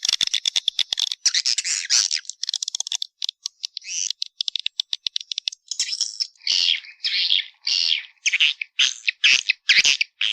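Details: Swiftlet calling sound in the 'Walet Naga' style, from 2021, used to attract swiftlets: dense, high, buzzy chittering bursts, first rapid and clicky, then longer rasping chirps repeated roughly every half second, with no other sounds.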